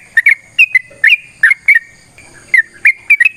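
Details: Sooty-headed bulbul giving a long fighting song meant to set off other birds; sharp whistled notes, single and paired, with a gap of about a second mid-phrase, over a faint steady hum.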